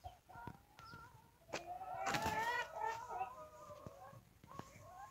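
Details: Chicken (Gallus gallus domesticus), crow.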